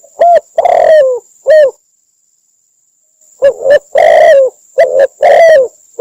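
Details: Spotted dove, Cambodia, call recorded for use as a trapping lure. Mellow coos in two groups split by a silent pause, each with a drawn-out descending coo among shorter ones, over a continuous thin whine.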